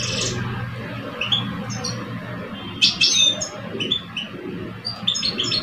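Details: Singing duel between two caged male European goldfinches from Algeria, a mature bird and a two-year-old; sharp high chirps and brief twittering runs appear irregularly against constant low-pitched background noise.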